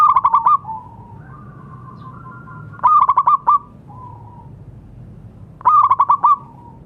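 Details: Singing local zebra dove, its recording meant as therapy for doves that have stopped calling: three bursts of rapid rolling coos, each several pulsed notes followed by a drawn-out soft tone, spaced nearly three seconds apart.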